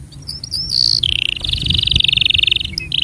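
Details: Canary tutor song for young and silent canaries: short high notes lead into a sustained fast trilled roll that stays level for nearly two seconds, with faint low background hum.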